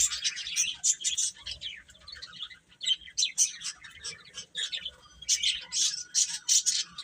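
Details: Baby chicks chirp busily, many high, thin peeps overlapping in pulsing bursts, with a brief lull partway through.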